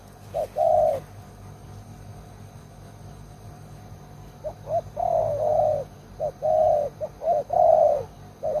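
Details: Caged decoy spotted dove, kept as an old lure bird for trapping wild doves, with a loud voice: a short coo then a longer mellow coo, a silent pause, then repeated soft-loud coo phrases with a low background hum.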